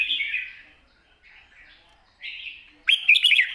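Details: Long song from a red-whiskered bulbul in a light, wild-style manner: smeared echoing phrases fading in and out, then a loud, bright, bubbling burst of notes at the end.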